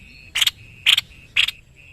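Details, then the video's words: Singing white-necked babbler, an Indonesian tutor bird: three loud, sharp, high chip notes about half a second apart over a thin steady high whistle. "BURUNG MASTERAN GACOR SEPERTI INI.JENIS TEPUS LEHER PUTIH"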